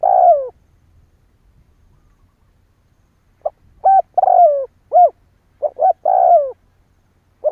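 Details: Spotted dove coos used to prompt other doves to call: a trailing falling croo opens, then after a pause a full phrase of soft coos and a purred descending croo, followed by another quick phrase.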